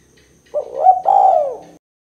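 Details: A spotted dove calls in the 'kuk 2' style, a call used as a lure to draw other birds in. It gives one soft, throaty two-part coo, rising briefly then sliding down in the longer second part. Faint low background hum.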